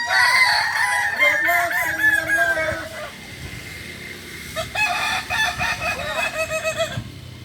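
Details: At a final Kukuak balenggek crowing contest held in Ampang Kualo, Kota Solok, 8 September 2024, a long wavering crow with a low sustained note gives way to a softer, rapid string of short arched syllables.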